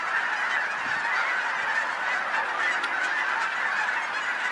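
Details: An immense flock of geese regularly present near a Colorado home produces steady, overlapping honks merging into one broad, unbroken clamour.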